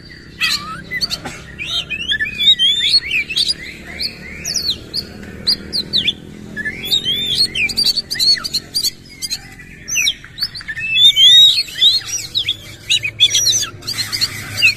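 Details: Oriental magpie-robin in full song, tail spread, delivering rough fill-in phrases: bursts of rapid twisting whistles and harsh buzzy notes alternate with short pauses, the loudest burst near the end over a faint low rumble.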